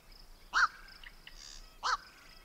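Black-crowned night heron giving two harsh, barking 'quok' calls about a second apart, over faint high background tones and hiss.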